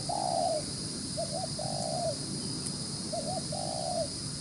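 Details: Field-caught spotted dove in fast cooing mode: a long level hollow coo, then paired short notes leading into another drawn-out coo, repeated twice, over steady background hiss.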